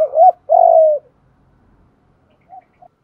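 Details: A single spotted dove lure phrase to draw other doves: a brief hoot then a long, even coo falling away, followed by quiet and two faint soft notes.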